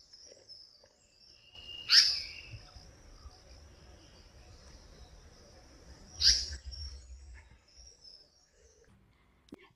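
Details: Indian paradise flycatcher giving two sharp, harsh, high calls about four seconds apart, each a short rasping burst that trails into a thin high tone, over faint low background rumble.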